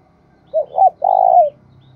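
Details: Cooing of a spotted dove used as a lure for wild doves: two quick soft hoots followed by a drawn-out, rough-textured note that slides down at its close, over a faint low hum.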